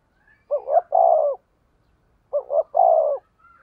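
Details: Spotted dove decoy bird cooing 'thúc gù' in the 'thổ' voice: two crisp phrases, each a quick doubled note then a longer, slightly falling coo, separated by about a second of silence.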